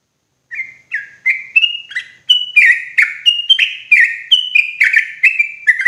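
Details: Loud, clear yellow-vented bulbul lure recording used to trap the birds in forest: a string of bright, gurgling whistled notes, roughly three per second, alternating slightly higher and lower.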